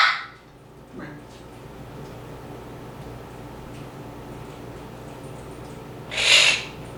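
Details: A male pet Moluccan cockatoo in an indoor basement bird room, shared with other parrots, lets out two harsh, loud screeching squawks several seconds apart, with a fainter call between them over quiet room hum.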